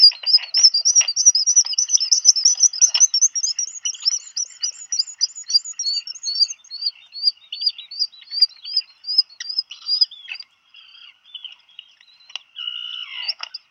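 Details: Black guillemot pair at a burrow with a chick, Seal Island, Maine, USA, June 2020, changing brooding duty after food arrives: a long fast train of high thin rising whistles that slows and fades, ending with a brief buzzy note.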